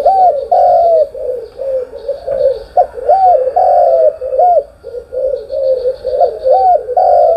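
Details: Spotted dove cooing in the morning: a steady run of soft, low, hooting coos in arched notes, some rising then falling, closely spaced with brief pauses between phrases.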